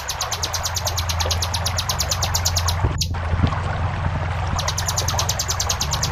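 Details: Fast high chip series from a ciblek gunung, part of a cage-bird training recording. It stops for over a second mid-run, then picks up again, while a deep, constant hum of flowing water stays prominent throughout.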